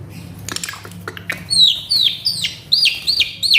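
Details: Agitated male Asian pied starling gives repeated short whistled notes that rise then drop, about every half second, after some faint clicks at the start.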